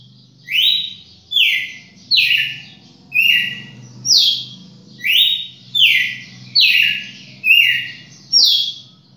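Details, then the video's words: A champion Red-cowled cardinal, recorded indoors around 1 October 2019, sings clear, slurred whistled phrases that drop in pitch, repeated about once a second, over a faint low hum. "galo-de-campina campeão"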